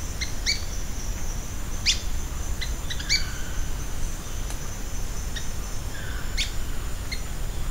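Ochre-bellied flycatcher giving short, sharp high chips and quick squeaky notes at irregular intervals over a steady low rumble of background noise.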